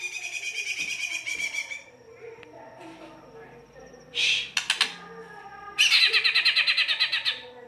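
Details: ['White-rumped shama song in harsh style, meant to draw other shamas into singing: a fast trill, a quiet gap, then loud rasping buzzes and a rapid pulsed chatter.']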